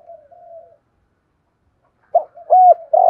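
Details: Spotted dove with a "thổ" voice, used to entice wild doves. A soft low murmur comes first, then a pause, then the opening of a cooing phrase with a clear rounded coo.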